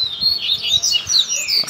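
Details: Double-collared seedeater (coleiro) in a 'puxada' tutor song for young birds: a short burst of sweet, warbled, high twittering notes rising and falling, steady over faint low thumps.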